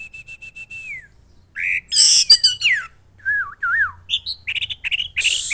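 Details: Caged red-headed thrush (orange-headed thrush) from Klaten, Central Java, Indonesia, singing loudly in a full, varied style: a series of even high whistled notes, then harsh buzzy bursts, slurred descending whistles, and rapid chattering notes.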